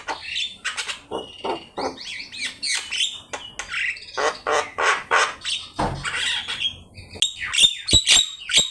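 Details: Javan myna master song for training birds, a busy jumble of squawks, rasping notes and short whistles delivered in rapid bursts about three per second, ending with bright piercing whistled phrases.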